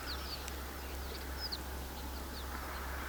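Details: Flock of a few hundred snow buntings moving through their wintering area in Haldimand County, Ontario, February: sparse high thin chirps and brief descending notes overlapping, with a constant low background hum.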